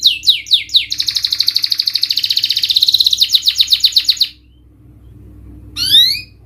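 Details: Canary song played as a lure to stir a reluctant, stressed or low-spirited canary into singing: a few quick descending whistled sweeps, then a long rapid trill of repeated bright notes for about three seconds, a brief pause, and another burst of falling sweeps over a faint low hum.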